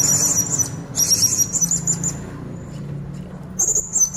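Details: Captive blue-crowned hanging parrot singing in konslet style, used to lure untrained birds: very high, thin, shrill squeaky bursts in three groups, each about a second long, over a steady low electrical hum.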